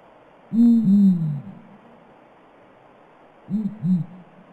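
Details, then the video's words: Blakiston's fish owl giving very deep, booming hoots in two-note bursts, with another pair about three seconds later, over a steady background hiss. "Blakiston Fish Owl Sounds"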